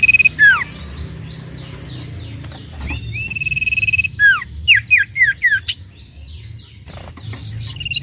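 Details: Sooty-headed bulbul sounds meant to agitate other birds into quick singing: steady pulsed trills mixed with a burst of loud downward-slurred whistled notes and varied chirps, busy throughout.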